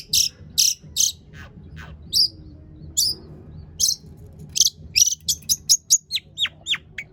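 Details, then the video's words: Long-tailed shrike in full song packed with mimicked fill phrases, used as a lure to get other shrikes singing: high buzzy bursts, then sharp descending whistled notes quickening toward the end. "cendet gacor PANJANG BONGKAR ISIAN untuk PANCINGAN CENDET AGAR BUNYI"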